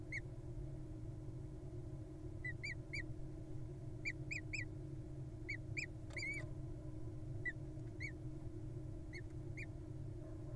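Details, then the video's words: Wild little owl nestlings in a nest box in June give soft repeated chirps, short rising notes in pairs and triplets at uneven intervals, over a steady low background hum. "From Chirps to Snores: The Adorable Little Owl Lullaby"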